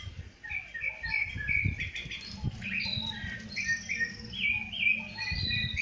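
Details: Rufous-bellied thrush singing outdoors in nature: short varied whistled and warbling phrases in quick succession. Faint low rumbling and other bird chirps sit in the background.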